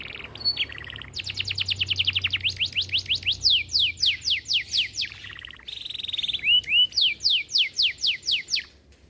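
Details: Long vigorous canary song in 'cengkok mewah' style: fast rolling trills and a long series of steep down-slurred whistles, then arched notes and more sweeping runs; low hum in background.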